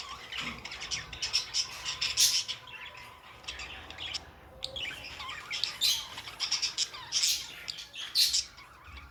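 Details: Pet budgerigars chattering: a busy stream of short, high, scratchy chirps and squawks with sharp clicks, several birds calling over one another in irregular bursts, with a brief pause near the middle.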